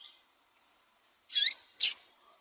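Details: Female yellow-bellied seedeater calling to stir up males: a faint note, then two loud, high, abrupt notes in quick succession about half a second apart.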